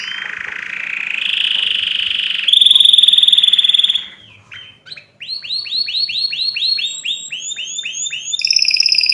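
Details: Canary singing a vigorous song of rolling buzzy trills, a high sustained rapid rattle, then a fast series of swooping down-slurred notes and another piercing high trill.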